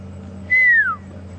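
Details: A Pearl-spotted Owlet calling during an afternoon safari drive at Djuma Game Reserve, South Africa, on 15 February 2015 gives a single clear whistled note sliding downward over half a second, over a low steady engine hum.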